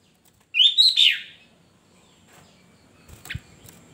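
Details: Kutilang, the Sooty-headed bulbul, singing in the chatty gacor style: a single bright, warbled phrase of three or four slurred whistles, then near silence with faint background hiss and a brief knocking sound.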